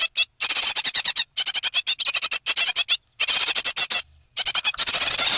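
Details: Nest of three great tit young close to leaving, 9 May 2017; piercing high squeaks delivered in fast stuttering runs of pulses, broken by several brief pauses.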